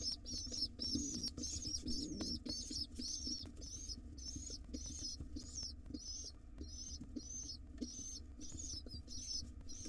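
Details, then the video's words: Begging of wild pigeon nestlings fed by their dad in a nest box: loud, shrill squeaks repeated almost twice a second in an even, steady series, low hum and light tapping behind. "Crazy hungry and cute pigeon nestlings get fed by their Dad."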